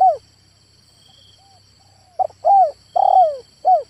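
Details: Male spotted dove calling: after a quiet stretch, a rough stuttering onset leads into several mellow, arched coo notes at about half-second spacing, each sliding downward. A faint steady high electronic whine runs throughout.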